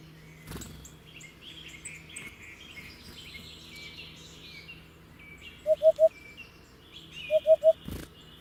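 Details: Hoopoe gives two triplets of low, mellow hoots late in the recording, about one and a half seconds apart. Chirping birds, faint rustles and a couple of sharp knocks are also heard.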